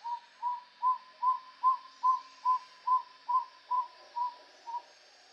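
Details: Tody motmot in Central American forest gives a steady run of about a dozen hollow, slightly arched hoots, two to three per second, fading toward the end over faint background hiss.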